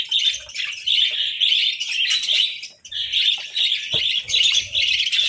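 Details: A winter breakfast of boiled eggs and bread sets budgerigars chirping in continuous bright, warbling chatter, with one short dip in the middle.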